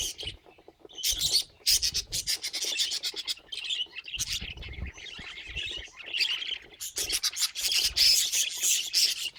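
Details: Companion budgies chirping and warbling: rapid high scratchy notes in bursts separated by brief pauses, with some low bumping sounds underneath.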